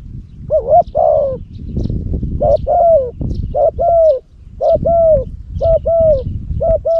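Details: Spotted dove used as a decoy for luring, from Cambodia, with a big, deep voice. It coos steadily in mellow, bent notes, grouped in pairs and triplets about once a second. Soft chirps of other birds sound above a low background rumble.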